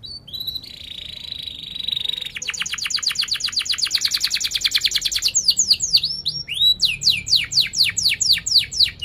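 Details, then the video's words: A canary sings with tight rolls and chirps, intended to train young canaries: a steady buzzy note, a long fast even roll of pulses, then a string of loud descending whistled sweeps. "Kenari Gacor Cuit cuit NgeroL TAJAM | untuk Pancingan kenari Paud belajar Bunyi & kenari MACET BUNYI"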